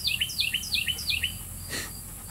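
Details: Wild bird chirping in a phrase said to sound like the word "stupid": four quick two-part notes, each a high whistle dropping sharply to a lower tone, repeated about every quarter second, then a brief rustling knock and quiet background hiss.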